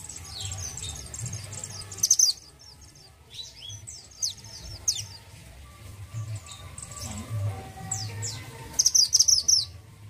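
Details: Orange-headed thrush kept by Indonesian songbird hobbyists, a bird in regular song: high whistled and slurred phrases with fast trilled bursts near the start and end, over steady low hum.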